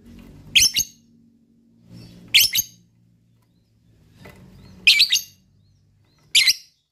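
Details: Lovebird calling, meant to trigger other lovebirds to trill: four short, shrill, buzzy chirp bursts spaced roughly every second and a half to two seconds, over a quiet low rumble between them.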